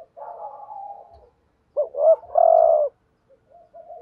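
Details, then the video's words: Spotted dove decoy bird cooing in the thúc gù style to provoke rival males. A soft, wavering low coo, a pause, then a louder two-note rise and a long, steady, emphatic coo, with faint cooing trailing after. "chim cu gáy thúc gù BÀi BẢn/ tiếng chim cu gáy kích bổi và mồi rất xiêng gáy"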